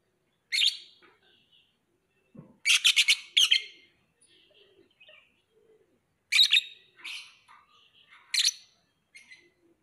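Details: Lovebird giving loud, shrill, buzzy chirps in short bursts, including a quick rattled cluster of four notes, separated by quiet gaps with soft twittering in between.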